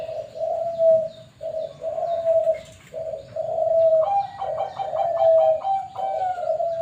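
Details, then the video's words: Bangkok-type zebra dove kept at a bird farm, giving low, mellow cooing phrases of sustained hollow notes in repeated bursts with brief gaps. Faint higher chirps from other birds are heard in the second half. "Perkutut Bangkok"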